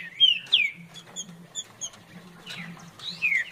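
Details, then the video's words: Green-winged saltator singing the farrapo song style: a few loud descending slurred whistles, spaced with softer short high notes, over a steady low electrical hum. "Trinca Ferro Farrapo"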